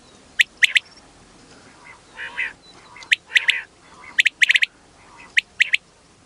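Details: Sharp, piercing triple notes from a calling female common quail, in quick clusters, mixed with a few softer, hoarse, buzzy calls.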